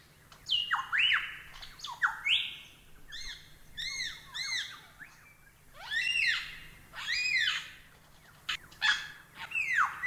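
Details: Lyrebird singing for birdsong tutoring: swooping whistles that rise and fall, some paired or stacked, delivered in bursts separated by short pauses, over a steady faint background hum.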